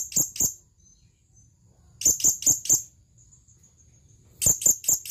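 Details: Male blue-crowned hanging parrot calling to a female: short, very high, sharp chirps in quick clusters of two to four, separated by pauses, with a thin high whistle lingering between bursts.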